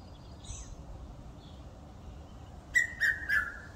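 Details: Red-chested cuckoo, known locally as Piet-my-vrou, filmed in a wildlife estate in Eastrand, Johannesburg, South Africa. It gives three loud whistled notes in quick succession, each slightly lower than the last, after a stretch of quiet background hiss and faint distant chirps.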